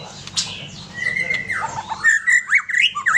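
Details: Aceh white-rumped shama with a companion bird: a long level whistle drops into a run of quick, loud, zigzagging whistled notes, over a steady low background hum.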